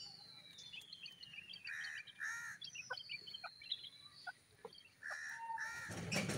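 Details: Harsh, nasal double notes of a grey francolin ring out between long, thin downslurred whistles and short chips from other birds; a burst of broadband noise closes the recording.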